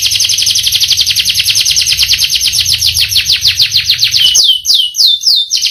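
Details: Canary delivering a long rolling song, a dense rapid trill of repeated down-slurred notes, roughly three per second, that breaks into slower, separate falling whistles near the end.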